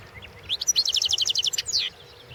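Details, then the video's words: European goldfinch competition song from the 2016 world championship: a few soft introductory chips lead into a rapid, evenly spaced high trill of roughly a dozen notes, closing with a sliding, descending twitter. "World championship in Goldfinch Song 2016"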